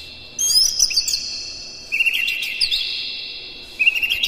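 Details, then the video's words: Oriental magpie-robin morning song, played as a lure to stimulate captive birds into singing and opening their tails: loud, high whistled phrases with sharp rising sweeps and buzzy trills in bursts, separated by a quiet gap. "suara PAGI!! KACER Gacor Master PANCINGAN Buka Ekor KONSLET bongkar MATERI KASAR agar gacor"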